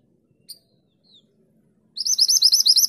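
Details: Vigorous 'tulit tulit' singing of a mantenan gunung, kept as a master for tutoring cage birds: a single soft high chip, a brief pause, then a rapid high-pitched trill of evenly repeated notes closes out.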